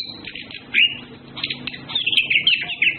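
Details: Courting Orange-headed thrushes, male and female, sing a fluent warbling song of high whistles and buzzy twitters, rising in loudness toward the end.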